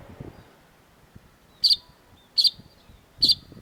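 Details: Sharp-voiced long-tailed shrike on a master recording meant for training cage birds: three loud, short, piercing high notes spaced under a second apart, with a few faint thin whistles between them.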